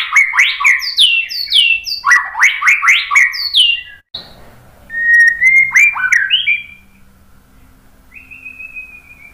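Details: White-rumped shama song used to make other birds sing: rapid repeated sweeping notes in bursts, a brief break, then scattered whistles and a thin falling whistle.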